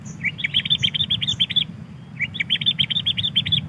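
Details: Sooty-headed bulbul call used as a lure for wild birds, recorded in Pidie, Aceh: two bursts of rapid chattering notes, about eight per burst, each short and slightly rising, over a low steady hum.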